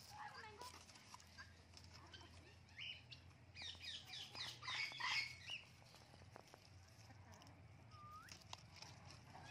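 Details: Blue-and-gold macaw, a talking pet bird, having fun in a garden; a burst of harsh, raspy squawks builds for about two seconds in the middle, with softer chirps before and a rising note near the end over steady low hum.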